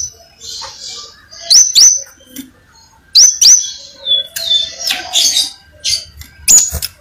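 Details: Crimson sunbird song: high thin upslurred whistles repeated in pairs, mixed with buzzy trills, short chirps and a sharp high note near the end, over faint background murmur.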